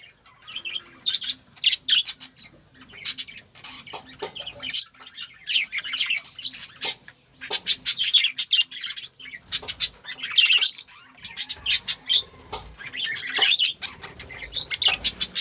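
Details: Several colourful pet budgerigars in a cage chatter in a busy stream of high, scratchy chirps and warbles.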